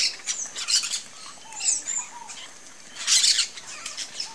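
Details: A Blue-and-yellow Macaw (Ara ararauna) of a nesting pair at its tree nest gives two harsh, raspy squawks about two seconds apart, with thin chirps from smaller birds in between.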